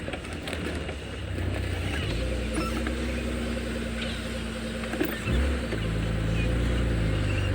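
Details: Loud low engine hum with shifting tones as the vehicle idles and moves at sunrise on safari, and faint background rustling but no clear animal calls.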